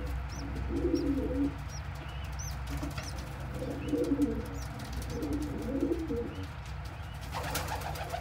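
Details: A parent pigeon feeding crop milk to a helpless baby squab; soft throaty warbling coos rise and fall in three or four bursts, faint high chirps sound above, and a sharp broadband rustle comes near the end.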